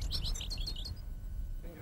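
A goldfinch gives a quick run of bright, tinkling twitters, about eight notes in under a second, then stops. A man's narrating voice and a low rumble continue underneath.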